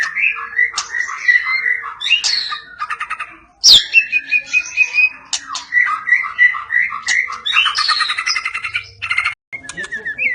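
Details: Medan white-rumped shama sings cililin and besetan phrases, a varied run of warbled whistles, harsh squawks and sharp clicks, with rapid trilled bursts and quick changes of pitch throughout.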